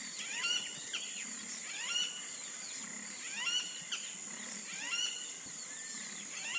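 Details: A wattled jacana in wetland: a rhythmic series of downward-slurred, ringing notes in clusters, repeated regularly, with a persistent high insect drone underneath.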